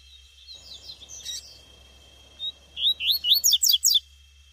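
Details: Calls of a female double-collared seedeater in scrub: after near silence, a rapid run of about seven high, sharp slurred notes, each quickly rising and falling, over a steady thin whine.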